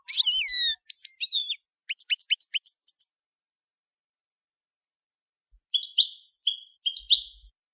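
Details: European goldfinch, camper song style. A long descending buzzy note opens the passage, followed by a fast series of clipped twitters. After a silent gap come softer, rougher chattering notes.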